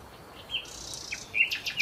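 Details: Sparrows arriving at a Marsa Alam hotel restaurant after breakfast to eat leftover food from the tables give short, bright chirps, a few quick notes in under two seconds over a faint hiss of background noise.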